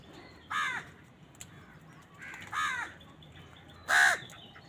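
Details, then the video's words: Three loud, harsh, drawn-out caws from crows on a winter morning, roughly a second and a half apart, over low background noise. "Many Crows crowing sounds and noises on a winter morning"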